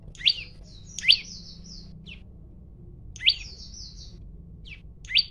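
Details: Male olive-backed tailorbird, recorded on a mobile phone, calling to provoke a fight: sharp high chips, several followed by a thinner, higher buzzy trailing trill, repeated in bursts roughly two seconds apart.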